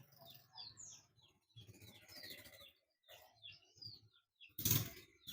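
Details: Oriental white-eye, a bird locally called pleci buxtomi, giving ngalas calls to summon companions: short high chirps and twittering in scattered bursts over a low rumbling background, ending in a loud broadband crackle.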